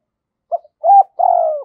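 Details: Brief burst from a spotted dove used as a decoy to provoke wild doves: a clipped opening note, a rising level coo, then a long gently falling hollow coo.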